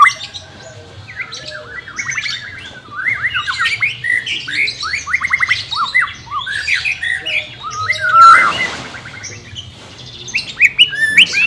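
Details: For training a reluctant-singing white-rumped shama: a continuous varied song of slurred whistles and scratchy twitters, a sudden harsh burst near the end, then sharp high notes.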